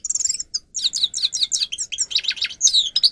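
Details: Grey-crowned goldfinch song used to teach birds: a continuous, rapid twittering chatter of short slurred notes and thin trills, briefly paused near the start.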